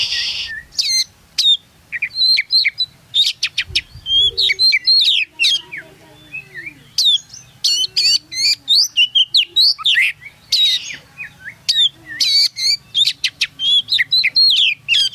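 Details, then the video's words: Champion Oriental magpie-robin heard from close below its hanging cage during a song competition in Singkawang, not facing rivals: a long, rich medley of shrill whistles, snappy clicks, buzzy notes and fast slurred phrases, almost continuous with short gaps. "Vokal Kacer"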